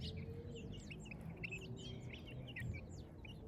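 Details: Several chicks in a village morning peep in overlapping clusters of curved, high-pitched notes, busy and uneven, with a faint low hum and a soft tone underneath.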